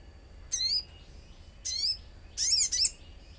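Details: Common iora song used as a lure to get birds singing, with nature sounds: three short bursts of rapid, high, twittering notes sweeping up and down, about one second apart, over a faint steady background hiss.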